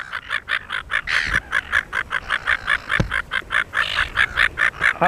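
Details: A pair of Silver Gulls mating on Penguin Island off Shoalwater, Rockingham; rapid, regular series of harsh, nasal, clipped calls, about two per second, with a few louder overlapping calls from the second bird.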